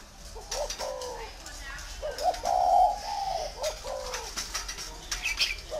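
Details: Tamed spotted dove coos softly in a low, slightly hoarse voice, with one longer drawn coo in the middle. Indistinct background sounds and brief high chirps are present.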